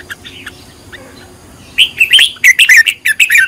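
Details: Red-whiskered bulbul, trained as a decoy singer, starts with faint notes then bursts into a quick series of loud, bubbling whistled chirps.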